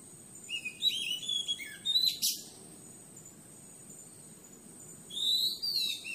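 A Madagascan magpie-robin gives two bursts of clear, varied whistled notes, the second rising, split by a sharp click.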